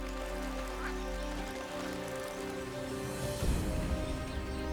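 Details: Instrumental music with sustained low tones plays over a soft rain-like patter, with a louder swell after about three and a half seconds and no clear animal voice.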